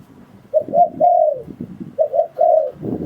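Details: Spotted dove call used as a lure for trapping wild doves: two short coos followed by a longer falling coo, repeated twice, with low rumbling noise beneath.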